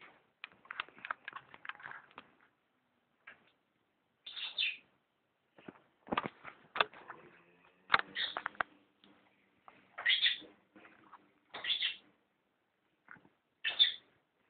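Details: Pet cockatiel sings and talks, repeating its own name, with bright whistled notes between scratchy chatter and mimicked speech-like sounds.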